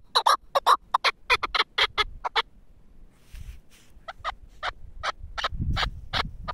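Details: Caged four-year-old Pamir chukar partridge, a hunting bird, giving a fast burst of harsh clucking notes. After a pause of over a second, sparser clucks resume. Low rustling sounds in the background.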